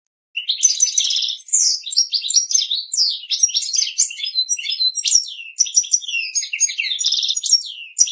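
A goldfinch sings a long, rapid tumble of bright twitters, liquid trills and buzzy notes, high-pitched and nearly unbroken, with no other sounds.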